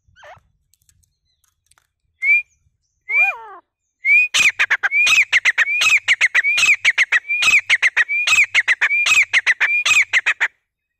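Grey francolin: a few scattered opening notes, then a loud ringing series of upslurred whistles, roughly one every 0.7 seconds, mixed with harsh clicking notes.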